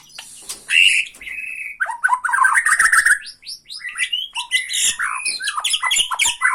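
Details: White-rumped shama from Borneo in a provoking song aimed at another shama: dense medley of sliding whistles, buzzy phrases and clicking rattles, delivered without break and fairly loud.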